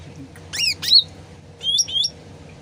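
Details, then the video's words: Sooty-headed bulbul recorded as a lure to draw answering birds. Two quick rising, slurred whistles, then two clear upward-sweeping notes, with gently trickling water beneath. "PANCINGAN CUCAK RANTING SUARA ASLI DAN GEMERCIK AIR CEPAT NYAUT"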